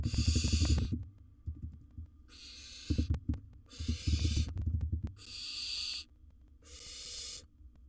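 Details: Five drawn-out hissing screeches from a wild barn owl in a nest box as large prey is swallowed, mixed with loud rhythmic thumping and scratching sounds between the calls.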